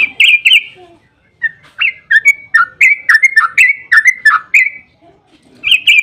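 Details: Yellow-vented bulbul with a rapid, emotional song intended to make other bulbuls call back: two high whistles, a pause, then a flowing chain of gurgling, up-and-down whistled notes, ending with higher repeated notes.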